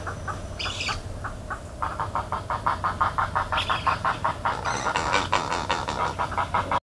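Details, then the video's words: Everglades National Park spoonbill: a long, regular train of coarse pulsed notes that builds after a sparse start, with brief higher squeals early on and a faint low hum beneath. "Spoonbill Sounds in Everglades National Park"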